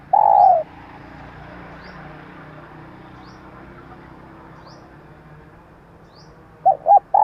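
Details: Female spotted dove call for training male decoys. One long mellow coo is followed by a long silence, then two short coos begin a new phrase. Faint regular high ticks sound in the background.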